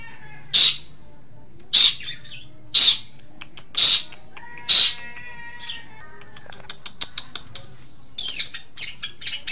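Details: Long-tailed shrike tutor recording for training songbirds: five loud harsh squawks about a second apart, then soft ticking notes and a closing burst of quick scratchy chatter, faint whistles in the background.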